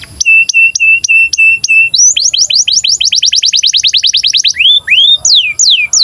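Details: Canary in breeding condition singing, used as a master song for training young canaries to sing and roll: flat whistled notes repeated, then a fast series of rising sweeps, ending in slower looping upslurred whistles.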